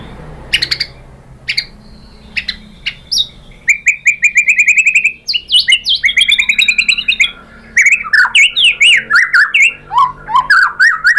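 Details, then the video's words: White-rumped shama song for luring other birds to answer: scattered sharp chirps, then a rapid even trill of repeated notes, building into a dense, varied run of loud whistled and slurred phrases. "MURAI BATU jadi NYAUT GACOR BONGKAR MATERI ¦ PANCINGAN MURAI"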